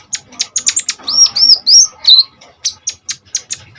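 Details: Common iora in full song for training other birds: rapid high chips, then four clear whistled notes rising and falling in a row, followed by more evenly spaced sharp chirps.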